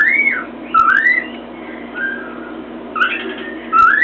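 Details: Pet cockatiel perched on top of its cage, banging its beak on a mirror and whistling freely: smooth whistled sweeps, first rising then falling, with a brief pause before a fresh upward-slurred phrase at the end, in a small indoor room.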